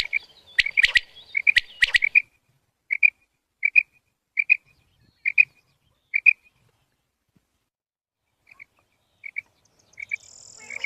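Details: Quail call played from a recording to lure quails into hunting nets: a few sharp, loud cracking notes at the start, then paired short high chirps repeated roughly every three-quarters of a second, spacing out toward the end.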